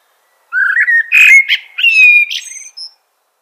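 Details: Rich fluted warbling from a common blackbird, notes sliding gently upward and linked together, with thin high twittering overtones at the close of the phrase.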